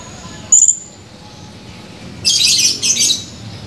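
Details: Male blue-crowned hanging parrot, recorded 17 July 2020: one thin, high chirp, then after a pause a harsher, buzzy, broadband squawking burst in two parts.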